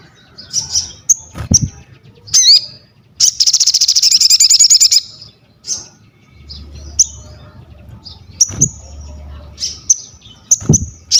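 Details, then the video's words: Crested jay singing, used for mental training, masterans and prompting other birds to sing: sharp high whistles and squeaky slurs, a two-second rapid rattling trill of piercing pulses, then more scattered shrill notes and a few low knocks. "SOGON GACOR UNTUK ASAH MENTAL, MASTERAN DAN PANCINGAN BUNYI"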